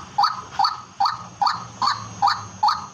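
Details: Rhythmic calling of a white-breasted waterhen from farmland: seven loud, nasal, croaking notes repeated roughly every 0.4 seconds with a slight rising start, faint low hum beneath.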